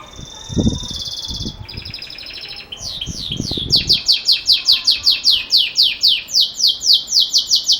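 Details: Belgian canary singing in the bell-like 'campainha' style: long rapid buzzy trills, then a series of sweeping downslurred notes repeated more than once a second, with a few low thumps early on.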